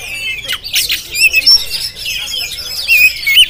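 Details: Oriental magpie-robin of the Jampang kind in Indonesia giving short harsh, scratchy notes mixed with a few clear, pure whistles and slurred chirps in a brief burst.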